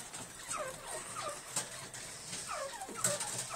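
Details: Captive black francolins giving two bursts of harsh, grating notes, each sliding downward in a quick rhythmic phrase, over a steady hiss of background noise.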